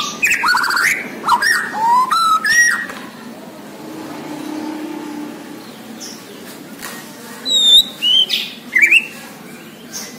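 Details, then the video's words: Bornean white-rumped shama giving bursts of loud whistled and warbled phrases at the start and near the end, separated by a quieter stretch with a low rumble in the background. "MURAI BORNEO GACOR DARRR DERRR DOORRR"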